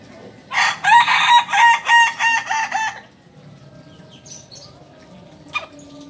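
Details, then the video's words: Kukuak Balenggek rooster, a native bird from Solok, West Sumatra, crowing: a long, loud, harsh crow broken into about seven rapid pulsed syllables over two and a half seconds, then fading into quiet background noise with a faint later click. "Ayam kukuak balenggek Asli solok.. sumbar"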